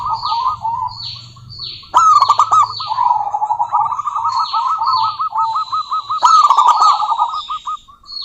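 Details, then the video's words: Lively local female zebra dove calling a rival. Long runs of fast, bubbling coo notes repeat, each run opening with a loud clipped burst. Thin downslurred chirps from other small birds and a low hum run underneath. "Suara Burung Perkutut Lokal betina gacor memanggil lawan"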